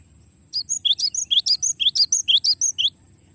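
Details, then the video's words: Glatik batu, or cinereous tit, in long rolling song for training songbirds: a brisk string of about fifteen clear high notes, alternating high and lower pitch about three times a second, over a faint low hum. "suara glatik batu ngeroll panjang"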